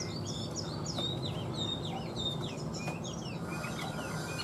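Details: Caged Chinese hwamei, a large-bodied bird in fresh plumage, sings a quick run of whistled, slurred notes that sweep up and down. The notes come in close succession over a steady low hum.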